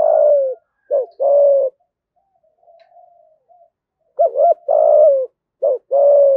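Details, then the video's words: Spotted dove calling to spur wild doves into fighting: a fading low purr, then a short coo and a steady drawn-out purr, a soft faint murmur, and a second phrase of paired coos, a long purr, a short note and another purr. "Tiếng chim cu gáy thúc đấu và gáy gọi kích bổi nhanh nổi"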